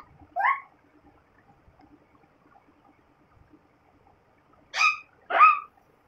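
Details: Pet talking parrot saying "mitthu guddu": three short harsh voiced syllables, one early and a pair near the end, separated by quiet with faint tapping.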